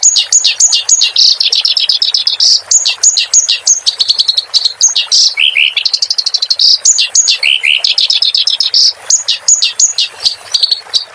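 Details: Clamorous reed warbler song used as a tutor recording for cage birds: fast, varied chattering phrases of rapid high trills and buzzy notes, with short falling whistles, running almost continuously with brief gaps.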